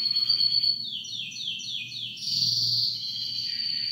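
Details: Singing canary delivering a loud high phrase, then a series of quick downward-sweeping notes repeated in steps, ending in a long, steady, ringing trill.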